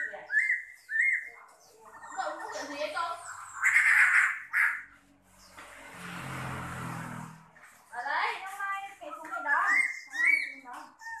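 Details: A large caged Chinese hwamei with a spread tail gives loud, rich whistled phrases that rise and fall, with harsher chattering notes mixed in, broken by a burst of rustling noise midway.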